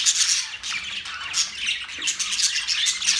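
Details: Continuous budgerigar chatter: high, raspy squawks and quick tweets packed tightly together without a break.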